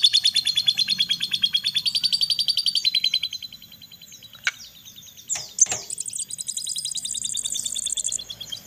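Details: Crested jay nestlings at feeding time: a fast, steady run of piercing high notes, a pause broken by clicks and knocks, then renewed shrill, rapid calling.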